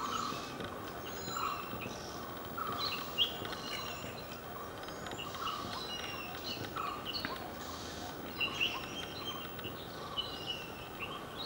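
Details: Indian grey hornbills at Vaccine Depot in Belgaum, Karnataka, India, in January 2013, give scattered shrill, squeaky calls with some rising and falling notes, set against constant broadband noise and other faint high chirps.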